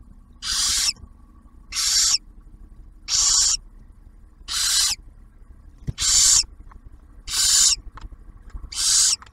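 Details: Seven evenly spaced, breathy hissing screeches, roughly one every 1.3 seconds, from barn owls at a refuge nest box near Oak Harbor, Ohio, where the male delivers food and the female feeds the first owlet.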